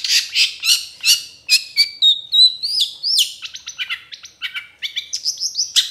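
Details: Long-tailed Shrike trotol training song with many fill notes: quick rhythmic chirps, about three per second, then rising whistles, rapid downslurred notes and thin high tones in a varied stream.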